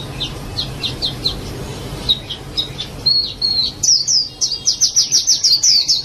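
A white-eye sings high, thin chirps in quick runs, speeding into a bright twittering warble near the end.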